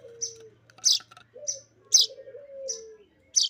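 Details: Streaked weaver nestling calling while being fed: bright, high chirps at uneven intervals, about six in under four seconds, mixed with a lower, sliding whistle-like tone and a faint hum.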